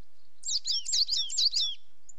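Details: Coal tit giving a quick series of about five high, thin, sweeping two-part notes, rising and falling in pitch, over roughly one and a half seconds against a quiet background.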